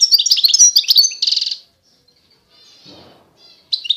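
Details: Singing European goldfinch, the pure Constantine type from eastern Algeria: fast liquid twitters and a buzzy trill, a quiet gap with faint rustling, then the high chattering song resumes.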